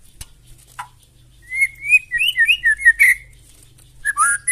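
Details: White-rumped shama giving a loud provoking song that sets other birds singing, a string of clear slurred whistles in a varied phrase after a quiet start, closing with sharp high notes.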